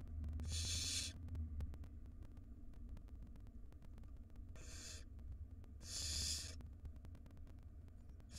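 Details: Wild barn owl nestlings in a monitored nest box, begging while the mother feeds them and one swallows a large rodent: repeated loud hissing screeches about a second long, over a steady low hum.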